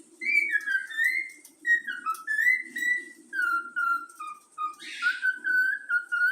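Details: A yellow-cheeked cockatiel chick, taught by its keeper, whistles the Flamengo anthem in a chain of sliding tonal notes that gradually fall in pitch, with a soft rasp near the end and a low hum beneath.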